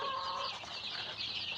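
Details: Tiger chicken chicks at a farm in Sirajganj Sadar, Sirajganj, Bangladesh, a crowd of them peeping together in a dense, continuous chorus of high thin cheeps; a lower, steady tonal sound is present in the first half.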